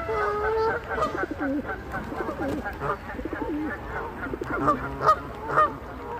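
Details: Canada goose causing havoc: nasal honking notes repeated irregularly, louder at the start, then scattered honks over background noise.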